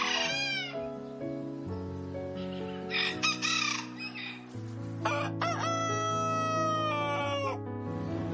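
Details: Domestic chicken on a farm: two rooster crows, a short shrill burst first and later a longer, sustained, slowly falling cry, set against layered background music with brief rough squawks between.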